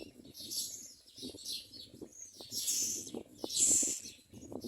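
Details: Loud, breathy, high squeals come in uneven bursts from common myna nestlings, peaking near the end, with sharp clicks and low thumping from movement in the nest.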